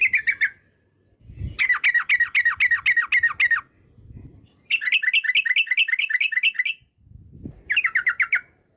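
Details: Lure recording of a lively Sooty-headed bulbul in long 'ropel' song: four bursts of fast rolling notes, each run up to two seconds, separated by short gaps with soft low thumps.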